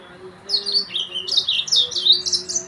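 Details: Song of a yellow-fronted canary, known locally as the Mozambique finch, with high chirps and rolling, warbled phrases building after half a second over a faint low hum.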